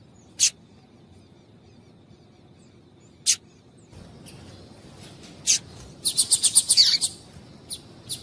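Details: Female double-collared seedeater calling, used to stimulate males into singing. Sharp, very high chips sound singly and spaced a few seconds apart, then run into a quick burst of about seven notes, over a faint steady hiss.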